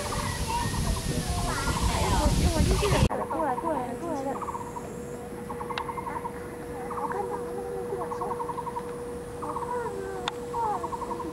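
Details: At Yixuekeng nature ecological park in Taishan, Taipei County, a courting Taiwan barbet pair nesting in a tree hole; after a loud noisy opening, rapid knocking bursts like a struck wooden fish recur every second or so, with scattered thin calls of another bird.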